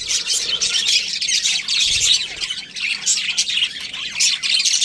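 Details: Budgerigars warble nonstop in high, raspy chirps and squawks, pulsing in short bursts, with one dull low thump midway.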